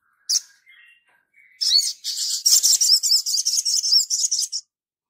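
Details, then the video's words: Crimson sunbird in full song, used as a training recording: a sharp chip and a few thin notes, then about three seconds of fast, high-pitched, buzzy twittering. "Sogon gacor"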